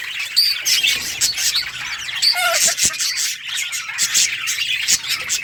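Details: Brightly coloured budgies playing and chirping, a dense warbling chatter with scattered clear whistled notes and a few short lower squeaks among the flock.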